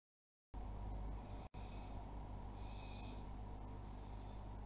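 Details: Barn owls at a nest in Théding, France, 22 August 2020, during an agitated food delivery: two breathy, rasping hisses, each under a second, over a steady low electrical hum.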